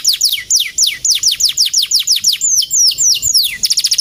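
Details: Male canary, gacor, delivering a series of loud downslurred whistles, each falling sharply, about three per second, ending with a very fast high trill.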